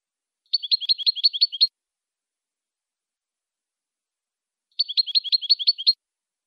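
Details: Saffron finch (jilguero campero) song in the 'El Pico de Plata' style, used for training captive birds: two bursts about four seconds apart, each a rapid run of about eight sharp, high chirped notes lasting roughly a second, with silence between.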